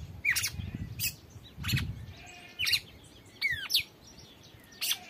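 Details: Red-cowled cardinal named Drácula on a free trial, giving short loud whistled phrases with downward slurred notes in separated bursts, over steady low background rumble.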